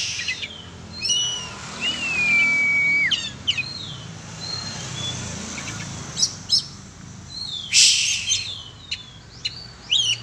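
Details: Oriental magpie-robin let out for sport flying, singing a mix of sliding whistles and crisp high chirps at an irregular pace, with a brief loud noise burst midway.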